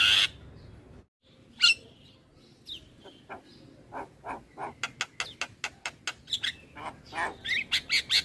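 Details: Javan myna in full head-bobbing form, its song used to train other starlings. A quiet start gives way to a quickening run of harsh, clicking broadband notes, ending in loud scratchy bursts and high whistles.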